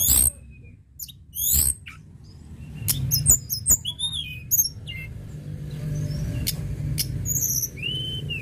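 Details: Shortwing song for stimulating other birds to sing: rapid high chirps and squeaky twittered notes in quick irregular succession, ending with a clear rising-and-falling whistle, over a steady low hum.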